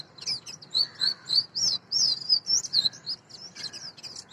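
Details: Oriental magpie-robin, national bird of Bangladesh, in a fast stream of high whistled chirps, roughly three notes a second, some notes rising and some falling, with a softer lower note underneath at times.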